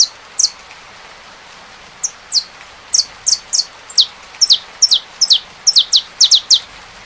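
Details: Saffron finch song over steady rain noise: bright, high descending chips, sparse at first, then coming in quicker runs and pairs toward the end, all above a constant rainfall hiss.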